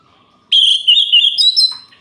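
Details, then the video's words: Orange-headed thrush night song to excite rival males: a single sustained, clear whistled phrase, wavering slightly and stepping up in pitch near the end. "Suara Ini Bikin Gerah Anis Merah Lain"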